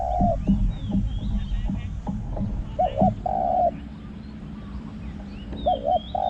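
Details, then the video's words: Spotted dove used for decoy calling, small-voiced with a resounding coo. Repeated two-note-and-long-coo phrases mix with clicks, low knocking noise and thin background bird chirps. "ต่อนกเขาใหญ่ | เสียงเล็ก หอง คูก้อง สนั่นป่า"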